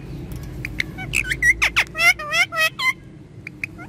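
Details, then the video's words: Pet talking parrot in an excited mood, speaking Hindi: a burst of clear, bending tonal syllables and short whistled notes with voice-like harmonics, preceded and followed by quieter clicks and brief squeaks. "Talking Parrot In Full Excited Mood And Speaking In Hindi"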